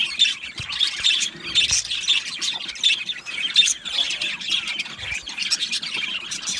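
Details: Harsh squawks and scratchy chirps burst in rapid clusters from a colony of Australian budgerigar parakeets in an aviary, the flock chattering without a break.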